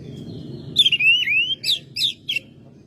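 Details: Oriental magpie-robin kept at home, singing strongly in May. A long wavering whistle slides down and back up, followed by three crisp, short whistled notes, over a soft low hum.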